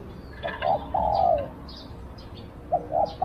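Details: A decoy Spotted dove luring wild doves gives a hollow phrase of two short notes and a prolonged coo, then starts another, while faint chirps sound in the background.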